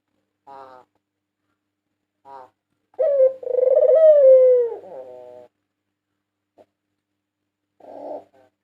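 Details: White Barbary dove, national champion in 2022, used to lure birds: brief soft notes, then one strong, sustained coo with a descending finish and a quieter tail, followed by faint scattered sounds.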